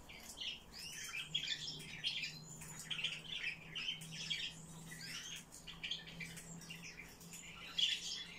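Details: Eurasian blue tit giving busy, high chirping calls: short arched and rising notes tumbling over one another in quick irregular bursts, with a faint steady low hum underneath.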